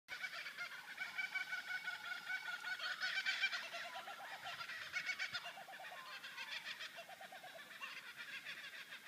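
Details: Several laughing kookaburras in chorus at sunrise in Walpole, Western Australia: a loud rollicking cackle of rapid, harsh hoo-hoo-ha-ha notes that rises and swells, then fades toward the end.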